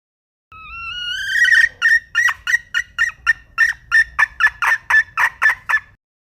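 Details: Red junglefowl hen: a long, rising, nasal opening note breaks into a quick run of sharp, rasping clucks, repeated several times per second, getting louder toward the end.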